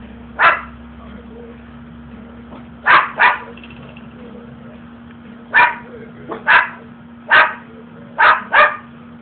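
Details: A pet umbrella cockatoo barks at the household dogs, imitating a dog's bark: short, harsh woofs given singly or in quick pairs, about seven over nine seconds, over a steady low hum.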